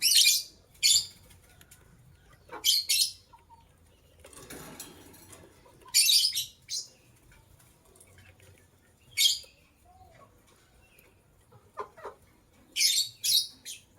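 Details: A matching pair of white lovebirds chirping in the morning: sharp, very high, scratchy bursts, often doubled, repeated every one to three seconds, with one soft rustling noise partway through.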